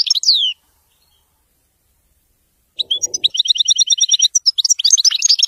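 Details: European goldfinch in wedani song: a brief high, descending twitter cuts off into silence, then a rapid, regular string of clipped high chirps runs into a jumble of bright, varied tinkling notes.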